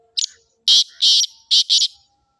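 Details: Sindhi black francolin (kala teetar) calling close by: a short harsh opening note, then two loud grating, buzzy phrases and a final pair of rasping notes, each forceful and clipped, over a quiet background.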